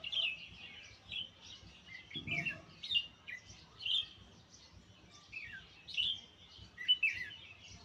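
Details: Nightingale singing: varied, high phrases of whistles, trills and sliding notes, each burst lasting under a second and repeated roughly every second, with a brief low thump near the middle.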